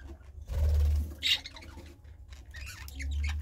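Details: A budgerigar gives a few sharp chirps and brief scratchy warbles, scattered over a low room hum.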